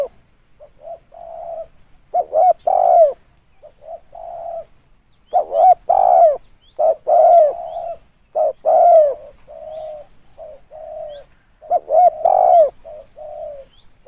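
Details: Spotted dove kept as a lure, cooing steadily: soft low murmurs alternating with loud paired hoots and drawn-out falling coos, repeated many times in quick succession.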